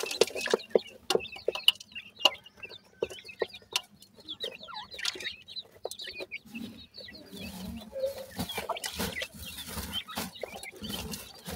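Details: Grey francolin chicks at their nest feeding, giving a steady chorus of small high cheeps and quick rising-falling peeps. Sharp tapping clicks are heard, and the rustling grows louder toward the end.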